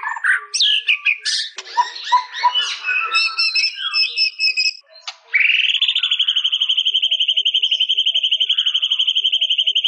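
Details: White-rumped shama with jumbled whistles, chips and chatter for five seconds, then one long, even, rapidly pulsed trill held at a steady pitch to the end.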